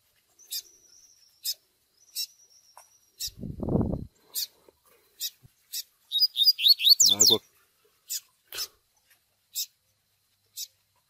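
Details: 'Tui tui' song of the Double-collared seedeater with chick peeps, recorded for pairing training. Irregular high peeps and a thin sustained tone are heard, with a quick warbled phrase midway and two brief low rumbling noises.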